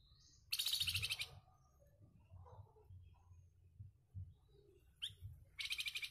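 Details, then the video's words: Flamboyan with a harsh, rough song serving as a master for contest birds; two rapid pulsing buzzy chatters at start and end, a quick rising whistle between, and faint soft notes over low background rumble. "FLAMBOYAN GACORR,SUARA KASARNYA KEREN BUAT BURUNG GANTANGAN"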